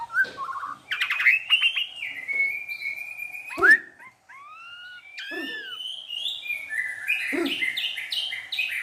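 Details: Vigorous white-rumped shama song filled with mimicked wild animal sounds, a dense run of rattling notes, long level whistles, slurred arcs and rapid chattering phrases at high pitch.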